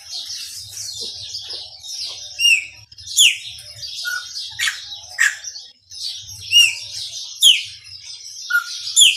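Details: A chopi blackbird of the Maranhãozinho type sings a lively, varied run of sharp chips, bright rising whistles and a few lower liquid notes, with brief pauses, over a faint low hum.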